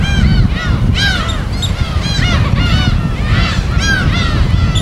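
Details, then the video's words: Many gulls calling at their wild breeding site on an uninhabited gull island off the West Sea coast: overlapping arched, nasal cries repeated rapidly over loud low surf rumble. "갈매기소리 무인도"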